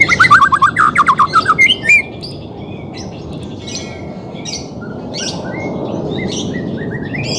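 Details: White-rumped shama song for training a bird that will not sing: a loud burst of quick repeated chirping notes for two seconds, then faint scattered distant phrases over quiet background noise.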